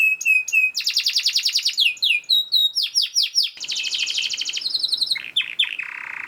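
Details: Canary song used as a master recording for training other canaries to sing, a fast, dense run of high trills, rapid repeated chips and sweeping whistles, ending on a long buzzy roll.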